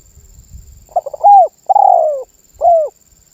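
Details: Spotted dove singing actively, said to get other birds calling too: faint low knocking at first, then a stammered lead-in, arched coo, long falling coo and a short closing coo.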